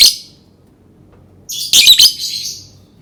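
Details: Lovebird with one short shrill note, then a clustered burst of three or four harsh, high, chattering screeches that fade with room echo.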